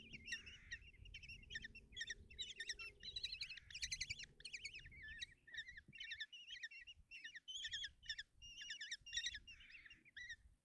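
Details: Nestling common kestrels being fed by their mother in a nest box at Tiszalök, Hungary, one June morning: continuous high, quavering trills and squeals in rapid overlapping bursts, rising to an intense chorus, with soft rustling below.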